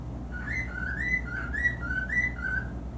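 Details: A male grey cockatiel sings into his mirror by a living-room window, whistling a warbling run of clear notes that hop between two pitches, about two a second, over a low indoor hum.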